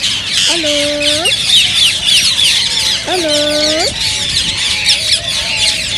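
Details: A constant high chatter of green ringneck parakeets, offered as a sound to prompt singing and mating. Two loud, lower, harmonic drawn-out calls from another bird break in at about one and three seconds.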